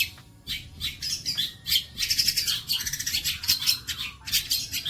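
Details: Long-tailed shrike delivering bolo panjang song as tutoring material for other birds: harsh, squawky buzzy notes in uneven bursts, interspersed with short sharp high whistles.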